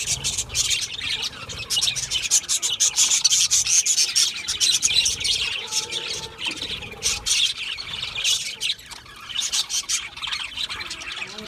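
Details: Budgerigars chirping: busy, continuous high-pitched chatter of short tweets, trills and scratchy notes, several birds overlapping, with a slightly quieter stretch near the end.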